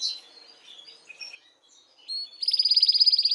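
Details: Canary singing to stimulate females for mating; soft scattered twittering with short whistles, then a loud rapid high trill in the last second.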